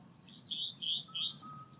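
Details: A very vocal restless flycatcher calling across a pond in the Arundel wetland section of Coombabah Lakelands Conservation Area, Gold Coast, Australia gives three quick, high, buzzy whistled notes, each slightly rising, about a third of a second apart, over a faint steady thin tone.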